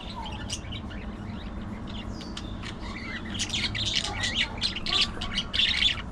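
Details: Budgerigar chatter building from soft scattered chirps to a dense, rapid stream of scratchy squawks and warbles in the second half.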